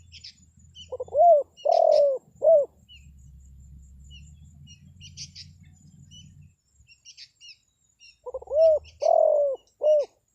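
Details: Spotted dove call for luring forest birds. Two three-note cooing phrases, short, long, then short, are separated by a gap of about six seconds. Scattered high chirps and twitters of small birds are heard throughout.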